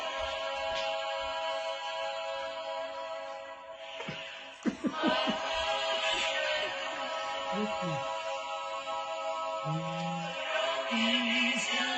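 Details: Music with speech and some laughter, with no animal sound.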